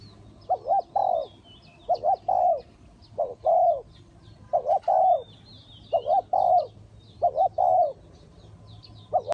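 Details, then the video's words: Spotted dove decoy at a trap in Ninh Thuận repeating rhythmic coo phrases, a quick double note then a fuller coo, about every one to one and a half seconds, with distant twittering birds and low hum. "The Sound Of the dove"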